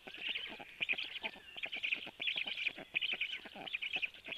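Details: Black stork storklets at 12:01 as the male brings food: fainter, chattering high trills in overlapping bursts, nearly continuous, with scattered clicks and some background hiss.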